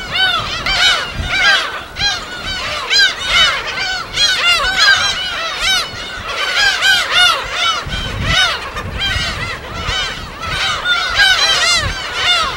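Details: At a gull colony on an uninhabited West Sea island, a dense chorus of gulls gives harsh, arching mewing and yelping calls that overlap without pause, with low surf rumbling faintly beneath.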